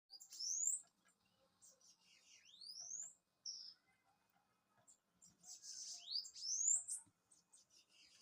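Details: Bananaquit singing: high, thin upslurred whistles sweeping upward, with dense buzzy hissing bursts, in two phrases separated by a short pause; quiet background.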